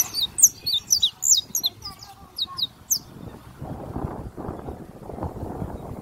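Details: Canary song: about three seconds of high, sharp chirps and short whistled notes in quick uneven bursts, followed by low rumbling background noise with no singing.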